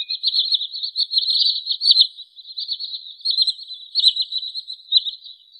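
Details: Wood sandpiper sound played to lure birds for trapping: a continuous, slightly uneven high warbling trill with small surges in loudness. Nothing else is heard.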